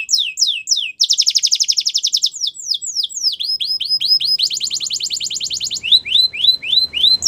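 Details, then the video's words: Canary song played to stimulate canaries to sing: rapid high trills of downslurred notes, a fast buzzy rolling phrase, then repeated descending whistled notes, all sweet and continuous. "Does Your Canary Not Sound ? Use This, He Will Sing A Lot"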